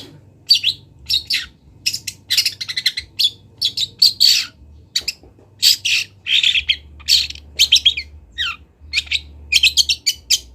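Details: Long-tailed shrike of Kendal local stock, Indonesia, as training material for cage birds: loud, varied song of harsh chatter, buzzy notes and high chirps in fast, irregular bursts, faint low hum.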